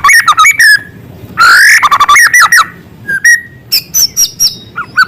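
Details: White-rumped shama singing actively with small-bird filler material: varied whistles and chips, one loud harsh rising note, then twittering phrases and a high held whistle.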